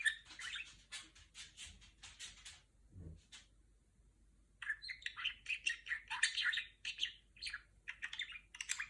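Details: Female budgerigar at home imitating R2-D2 sounds: a series of rapid clicking chirps, a soft thump and about a second of near silence, then a lively warble of wavering whistles and buzzes.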